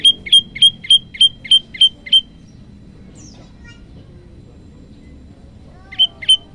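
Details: Olive-backed tailorbird singing actively: a fast run of eight loud, sharp, identical notes in about two seconds, then a pause with faint soft chirps, then two more matching notes near the end, over a low steady background hiss.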